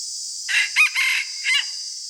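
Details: A decoy red junglefowl gives its morning crow. A hoarse first syllable leads into a strong peak, then a sustained grating note and a final short syllable, over a continuous shrill insect drone.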